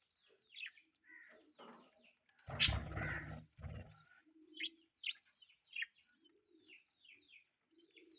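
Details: Budgerigar mating chirps: a run of short, quick, downward-sweeping chirps, some paired, with a brief burst of rough rustling or flapping noise partway through and soft low warbling notes near the end.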